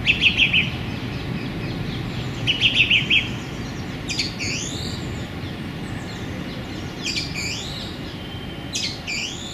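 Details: Song thrush singing in a small London park on a sunny January day, perched among branches: a bright phrase of rapid high notes given, then repeated almost exactly about two seconds later, followed by squeaky upslurred notes over a low background hum.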